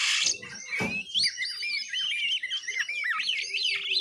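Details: Juvenile oriental magpie-robin rehearsing ngiriwik twitter: after a loud scratchy note and a thud, a rapid chain of looping, zigzag whistles rises and dips continuously, with a faint low steady tone behind.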